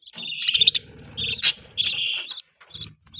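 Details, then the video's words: Budgerigar chirping: bursts of buzzy, warbling high chatter with brief sharp notes, broken by short pauses, over a low murmur in the background. "Budgie chirping sound"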